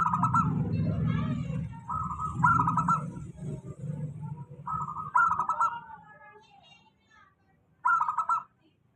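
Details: Local zebra dove song used as a lure for doves that rarely sing: repeated short phrases of fast, bubbling coos, several close together then one after a silence, over low droning background noise.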